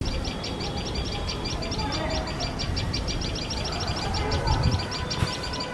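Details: Tailorbird pair guarding their nest as a male cat sits dangerously close, giving loud shrill alarm notes: sharp high chirps repeated rapidly, about four per second, over steady low background rumble.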